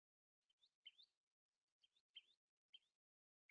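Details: Common tailorbird call played back: sharp, high rising chirps repeated in pairs roughly every second, clean background.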